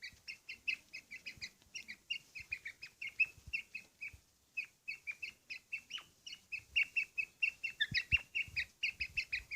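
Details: Quail kept for fighting in Pakistan, ready to fight: steady, rapid stream of short high chirps repeated several times a second almost without pause, with faint low knocks underneath.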